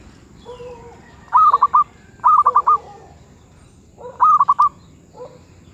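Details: Zebra dove of the medium-voice (suara sedang) type repeating short purring coo phrases of about four quick notes, roughly every second and a half, with lower, softer coos from another dove in between.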